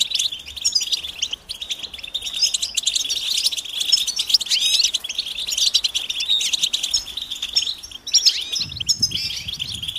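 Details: Goldfinch calls for mating and readiness that prompt a quiet male to sing: steady high chatter of overlapping chirps and slurred trills, unbroken for the whole stretch, with a low rumble entering near the end.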